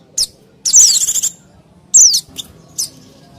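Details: Mountain white-eye lure calls for attracting wild birds: a fast buzzy chattering trill, then a high falling chirp and several short thin notes.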